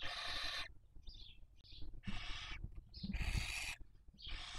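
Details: Nest webcam at Cabañeros National Park, Spain, breeding season 2023: barn owls raising young give long broad hissing screeches separated by short puffy wheezes, with low-pitched background hum throughout.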